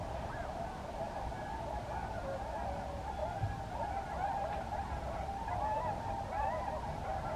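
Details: Swans calling together, a dense continuous chorus of nasal, honking calls overlapping throughout, with steady background noise.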